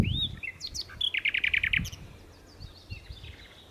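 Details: A common nightingale at Berkheide, the Netherlands, on 29 April 2018 sings a varied phrase: a whistled note, sharp chips, then a rapid run of about ten loud pulsing notes, with faint low rumble behind.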